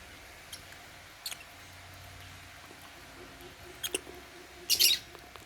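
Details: African lovebirds in a cage eating holy basil at meal time give a few faint scratchy chirps, then one louder rasping burst near the end, over a quiet hum.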